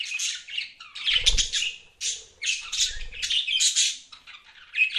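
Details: Budgies kept as pets chattering in bursts of raspy, buzzy chirps and warbles separated by short gaps, with some low thumping sounds underneath.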